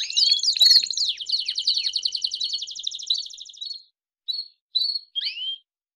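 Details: Belgian canary in full song, a fast song used to warm up and stimulate canaries: fast, bright rolling trills and chattering runs for about four seconds, then a few short whistled phrases after a pause.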